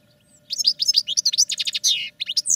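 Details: European goldfinch in a cage, singing for training; a fast run of bright tinkling twitters and chirps, ending in drawn-out buzzy notes, with a faint constant hum behind.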